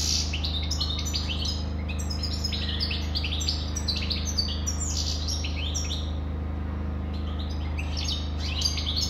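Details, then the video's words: Extended goldfinch song: a rapid, jingling stream of twittering chirps, short trills and slurred notes, pausing briefly midway, over a constant low droning hum. "Καρδερίνα,chardonneret,goldfinch the best"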